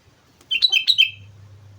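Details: Short phrase of sooty-headed bulbul song from Mount Slamet: four rapid, bright whistled notes sliding downward, followed by a low steady hum.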